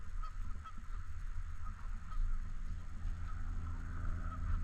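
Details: Canada geese at a park lake give faint, scattered nasal honks at intervals beneath a heavy low-pitched rumble of wind and handling noise.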